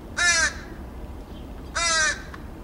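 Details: Two backyard crows in Edmonton, Alberta, Canada, recorded 28 August 2012, one of them going grey; two harsh, raspy caws, each about a third of a second long, spaced about a second and a half apart.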